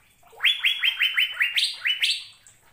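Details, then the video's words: Asian fairy-bluebird giving a short burst of about eight ringing whistled notes, each rising quickly and held briefly, the last few pitched slightly higher. "Burung Sorga Cucak Biru Sedang Bernyanyi Gacor | The Blue Cucak Bird of Heaven is Singing"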